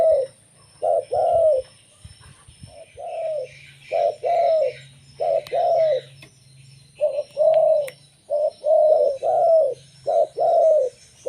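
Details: Local zebra dove song meant to lure others: long sequence of repeated soft cooing phrases, some short single notes, mostly brief note plus drawn-out coo, with faint background hum and clicks.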